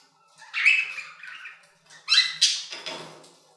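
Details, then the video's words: Budgerigars in their aviary give a rasping warble followed by two loud harsh squawks and a trailing scratchy rattle. "Budgie Songs - 1 hour of Budgies singing in the Aviary"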